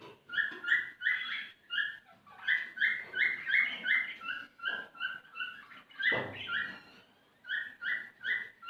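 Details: Male cockatiel singing to stir a female into mating: a steady run of short warbled and whistled phrases in quick succession, notes stacked in bright harmonic bands, with one brief low thump near the end.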